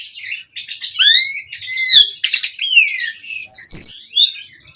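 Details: Asian pied starling (jalak suren) singing in the excited 'mompa' style, used as a lure to set other birds singing: loud rising and falling whistled slurs mixed with harsh buzzy chatter, with short pauses between phrases.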